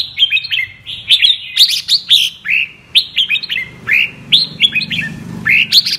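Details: Lively double-voice (giọng kép) singing from a 'mơ' red-whiskered bulbul: dense, rapid sequences of sweet whistles stepping down in pitch, repeated phrase after phrase, over a faint low hum.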